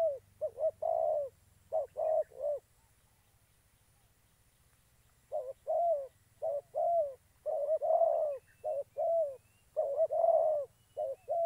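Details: Spotted dove acting as a trapping decoy in Gia Lai, Vietnam: bursts of rapid soft coos, a pause of nearly three seconds, then coo phrases resume, sometimes overlapping, with low background hum.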